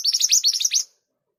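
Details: Scarlet minivet (mantenan gunung) in lively song: a quick string of seven or eight bright, high, downslurred chirps lasting under a second, then silence.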